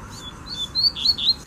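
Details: Brief high whistled notes from a wild double-collared seedeater in the bush, a few sliding slurs rising and falling in quick sequence, over a quiet low background.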